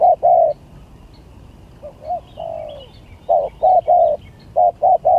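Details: Spotted dove in a song contest billed as gagap tindan versus klantan: low mellow coos in short bursts, paired and triple notes with a longer drawn-out falling coo midway, faint higher chirps of other birds behind.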